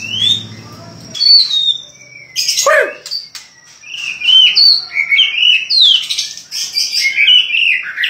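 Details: Varied whistled phrases from a white-rumped shama, sliding and rising notes mixed with sharp harsh bursts, delivered loud and fast; a low hum is heard briefly at the start.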